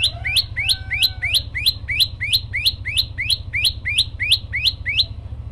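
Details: Tailorbird song of quick, repeated rising chirps, about three each second, high and sharp, while a faint thin whistled tone sounds briefly early on and a low hum continues throughout.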